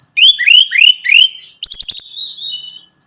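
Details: Orange-headed thrush song played to prompt a captive bird to sing: four rising, slurred whistled phrases repeated about every third of a second, then a burst of high chattering notes and thin sustained whistles.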